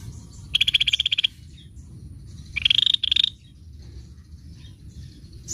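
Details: Sunbird song as two fast, high, buzzy trills, each lasting under a second, the second rising slightly in pitch, separated by quiet with a low background hum.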